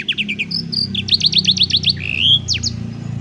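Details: Canary singing to train young canaries, cellphone recording: fast runs of short descending chips, a string of bright repeated upswept notes about eight per second, then a smooth whistled slide.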